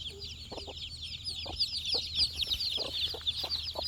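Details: Four-day-old chicks hunt for insects with an unbroken chorus of high, sweet chirps that overlap closely. Soft thuds and pecking knocks sound underneath.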